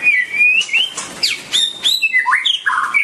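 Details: White-rumped shama singing a rich, varied phrase of clear whistles, rising and falling slurs between mid and high pitch, ending in lower warbled notes; some clicks and sharp chips mixed in.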